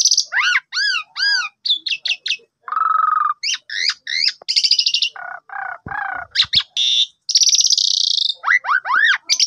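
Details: Asian pied starling singing a varied morning lure to spur a sulky bird into song: repeated arched whistles, a low steady buzz, clusters of high rasps, further buzzy trills and sweeping whistled notes, continuous and close.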